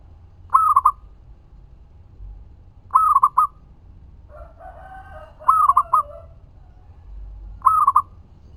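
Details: Local zebra dove singing, recorded as a lure to provoke other doves to reply: four rolling coo phrases, each a long note then rapid short ones, spaced a few seconds apart, with a second harsher call overlapping once.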